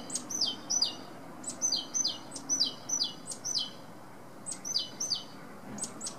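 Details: Great tit singing: bright, high, ringing two-note phrases, each falling from a sharp upper note to a lower one. They come in rapid runs of three or four repetitions with short pauses between runs, over a faint low background hum.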